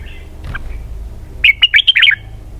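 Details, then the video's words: A red-whiskered bulbul gives one quick phrase of its 'double-twist' song, about six sharp, looping whistled notes run together after a soft opening note. "giọng hay cực xoắn kép"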